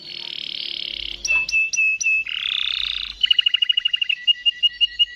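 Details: Waterslager canary in full long rolling song: a buzzy sustained trill, then a dense harsh roll, breaking into rapid clipped whistled notes repeated almost twice a second.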